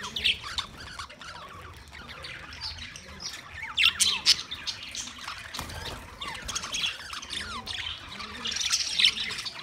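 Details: Budgerigar flock, Australian parrots, recorded 13 March 2024, keeps up continuous busy chatter: scratchy warbles, quick chirps and occasional sharper squawks overlapping, with louder bursts near the fourth and ninth seconds.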